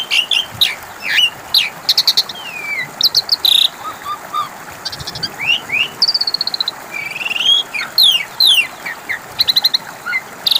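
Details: Asian pied starling song used as a lure to get a silent bird to answer: a busy jumble of high whistled upslurs and downslurs, harsh buzzy bursts and quick dry rattles, delivered almost without pause.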